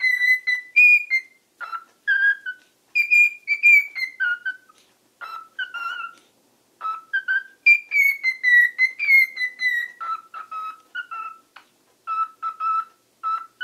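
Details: Male pet cockatiel whistles his own improvised song, not mimicry: a lively tune of clear, bright notes that slide up and down in quick phrases.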